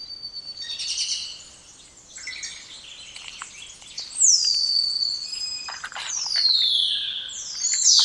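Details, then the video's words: Song of a spotless starling: a jumble of chattering, crackling notes gives way to several loud, drawn-out whistles, each falling smoothly in pitch. "Canto dos Estorninho Impecável ou Estorninho Imaculado"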